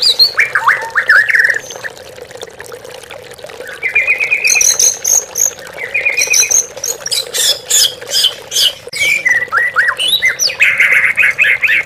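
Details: Oriental magpie-robin lure song for caged birds that have gone quiet. Varied phrases mix trilled whistles, high thin notes and sharp rapid chips in repeated bursts, with a low water trickle throughout.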